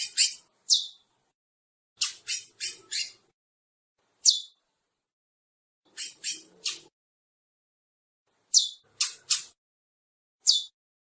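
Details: Chestnut-bellied seed finch couple calling in short bursts of two to four harsh, raspy notes with silent gaps of about one to two seconds.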